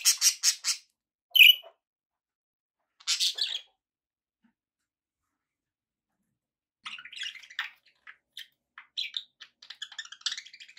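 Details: Pet budgies giving quick clicking notes and a sharp high chirp, a pause, then rapid soft twittering chatter.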